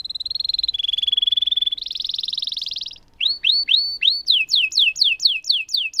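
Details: Singing canary performing a long roll used to stimulate canaries that have stopped singing: fast pulsed trills at changing pitches, followed by a series of loud sweeping down-slurred notes repeated about twice per second.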